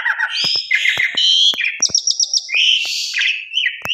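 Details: Asian pied starling (jalak suren) singing a lure song meant to prompt other birds to sing, rich in fill-in notes: varied whistles, buzzy phrases and a quick run of repeated high notes, with sharp clicks scattered throughout.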